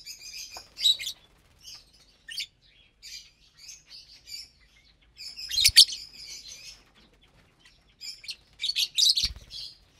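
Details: Caged lovebirds feeding together in the morning on greens and seeds; continuous high twittering with two loud harsh chirp bursts, plus brief low knocks.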